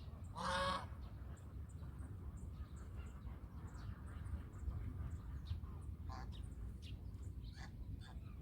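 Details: A single loud, harsh honk from a domestic goose near the start, followed by faint scattered calls against a constant low-pitched background hum.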